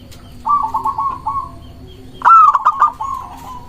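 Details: Local zebra dove song meant to lure doves and make rivals answer. A softer rolling run of about six even notes comes first, then a louder phrase that opens with a sharp rising note and breaks into quick, bouncing notes.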